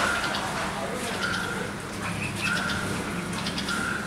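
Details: Red-vented bulbul parents protecting their 10-day-old fledgling, which left the nest on its first flight and landed on the ground, giving short, sharp mid-pitched alarm notes about once a second with a few higher chips, over steady hiss.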